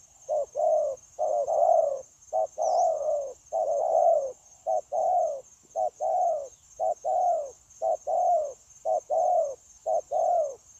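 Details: Captive decoy spotted dove, 9 January 2024, in a continuous cooing bout: about ten mellow two-part phrases, a clipped hoot then a longer drooping coo, evenly repeated near once per second, with steady high insect-like whine.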